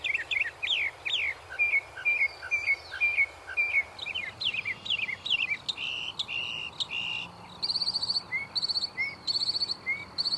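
A northern mockingbird sings a varied medley of high, sharp phrases, each repeated a few times before switching to a new one, over faint background hiss.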